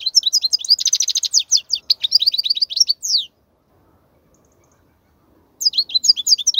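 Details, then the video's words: European goldfinch song used to teach young goldfinches: a fast, liquid twitter of high chirps and trills for about three seconds. A silent pause follows, then the twittering starts again. "تغريد الحسون , لتسميع الفراخ"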